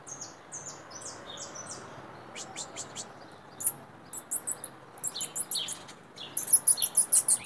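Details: Free-flying white saffron finch in song, a varied high twitter of short sliding notes and sharp chips in irregular clusters, growing denser and louder toward the end.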